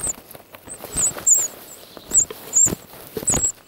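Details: A Sabota lark (Calendulauda sabota) at its nest gives thin, very high squeaky alarm notes in short irregular bursts over rustling and tapping, while a female boomslang takes a 10-day-old nestling, Polokwane Nature Reserve, South Africa, 16 January 2012, 15:07.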